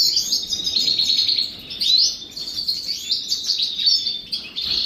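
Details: European goldfinches bathing in the morning give bright, liquid twittering: rapid chirps and short trills, rising and falling, running almost nonstop with a brief dip near the middle.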